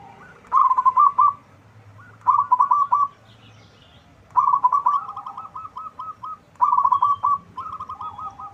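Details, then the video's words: Zebra dove of a local strain, big-voiced, sung to prompt other birds to reply; rhythmic rolling coos of rapid notes repeat in paired phrases every two seconds or so, one phrase stretching into a longer series. "Perkutut lokal gacor suara besar cocok untuk pancingan, langsung nyaut semua."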